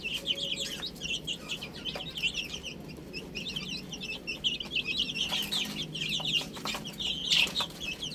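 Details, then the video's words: Many young chicks peep continuously while eating spinach, a busy, high, overlapping chirping chorus with occasional soft taps from feeding. "Adorable Little Chicks Chirping Sounds | Amazing Baby Hen Eating Spinach"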